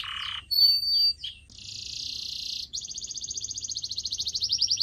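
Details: Canary song intended to train pet birds, with a buzzy note, drawn-out whistles, a dense rolling trill, then a quickly pulsing trill that grows louder toward the end.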